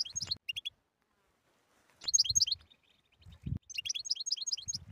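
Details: European goldfinch song: bursts of high, quick twittering and tinkling notes with short buzzy elements, delivered in three separate phrases with silent gaps between; a few low thumps in between.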